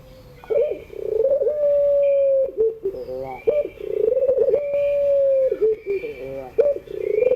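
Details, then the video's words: Puter pelung dove singing in the afternoon, a long drawn-out mournful coo held steady at one pitch, broken by short rapid trilled notes, the pattern repeating about every three seconds; faint higher chirps in the background. "tangisan suara puter pelung sore hari"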